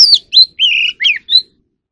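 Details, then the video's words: Magpie robin (chòe than) in song training for competitive singing, giving five clear whistled notes: a falling slur, a rising one, a long level whistle, then two shorter upswept notes. "Chò than luyện giọng || choè than hót đấu"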